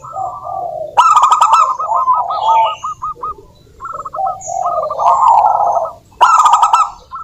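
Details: Zebra dove, a local wild-type bird, singing as a lure to prompt other doves to sing: rapid trilled bubbling coos around the mid range in repeated phrases, with loud sharp chirps from other birds bursting in at intervals.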